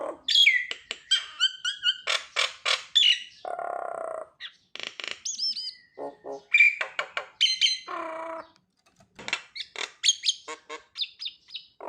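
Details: Varied Nias hill myna song played to coax silent mynas into calling: rapid clicks and squawks, bright rising and falling whistles, and low nasal harmonic honks repeated between bursts.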